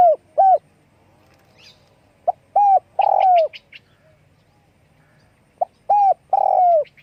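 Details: Wing-flapping spotted dove calling in phrases of short coos ending in a long, slurred, falling coo, the phrase given three times over about seven seconds against a quiet background.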